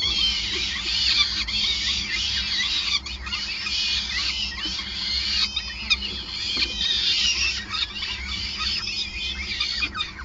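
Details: Peregrine falcon nest at the Gasunie site, Groningen, Netherlands, 5 May 2020, feeding in progress: insistent high whining calls, overlapping and wavering in pitch, fading slightly toward the end over low background noise.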